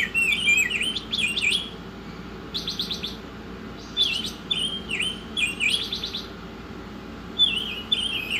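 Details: Oriental magpie-robin masteran song: loud swooping whistles and rattles opening, then repeated short buzzy trills separated by gliding whistled notes and pauses, over a constant low-pitched background hum.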